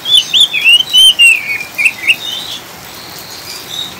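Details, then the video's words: Oriental magpie-robin in ngriwik chattering song, paired with rain to calm birds and encourage singing; a quick run of loud sweet whistles and warbles for two seconds, then only faint notes and steady rain hiss. "Kacer ngriwik ngeplong‼️Pancingan suara air hujan dan kacer ngriwik ampuh untuk stabilkan burung"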